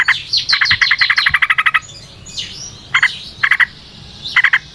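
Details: Sooty-headed bulbul delivering a long, fast chattering volley: higher sweeping chirps over a quick train of harsh, buzzy notes lasting nearly two seconds, then three brief clipped bursts separated by pauses.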